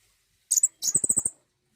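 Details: Common iora, used to stimulate a bird to sing: two quick high chirps, then a rapid run of about eight sharp, very high notes, all within a second and a half, with clean quiet background.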